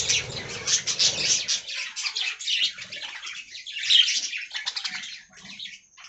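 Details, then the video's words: Many budgies in an aviary colony warble in scratchy, overlapping chirps that fade toward the end, over a low background murmur early on. "Budgie Talking Compilation"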